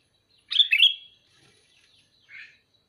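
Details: A sooty-headed bulbul gives a bright, bubbling double-note call, then a softer, shorter note about one and a half seconds later, in otherwise quiet surroundings.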